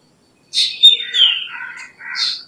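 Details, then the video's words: Loud black drongo phrase: a rasping harsh burst, then a long whistled note slurring steadily downward, ending with a second buzzy burst; no other sounds intrude. "Black Drongo Song ! Black Drongo Call ! Black Drongo Sound ! Black Drongo Vocals ! Voice ! Singing"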